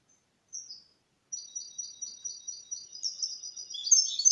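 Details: Caged goldfinch × canary hybrid (mule) singing a clean Malaga-style song without errors, used to stimulate males to sing and teach chicks; high thin notes build into a fast trill of repeated twittering syllables that grows louder.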